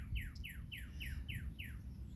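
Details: A Northern Cardinal, heard but unseen in the morning, sings a quick series of six clear downslurred whistles, about four per second, over a steady low rumble of distant traffic.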